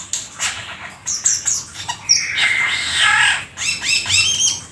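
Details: Black-winged starling singing a varied, mimicry-filled song; scratchy chattering notes and a long harsh wheezy rasp, ending in a quick series of repeated upslurred whistles.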